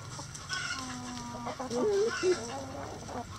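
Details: Chickens in a coop yard clucking and calling, with a drawn-out low tone followed by short warbling, rising notes and background scratching.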